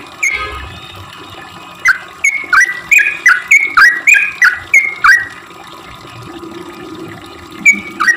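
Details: Sooty-headed bulbul song, used as a lure for bulbuls that seldom sing: a few scattered notes, then a rapid chattering run of rising-and-falling chirps, a quiet pause, and a final note, with a soft hum behind.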